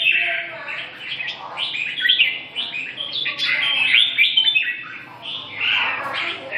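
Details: Chattering, whistled song of a red-whiskered bulbul, dense runs of slurred notes rising and dipping in pitch, nearly continuous with a short lull midway, over low background hum.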